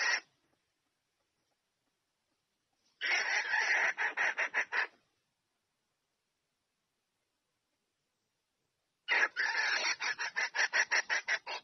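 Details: Female red junglefowl calling the male to mate. After a brief note, two separate bursts of quick, harsh cackles arrive several seconds apart, each speeding into a tight, regular rattle.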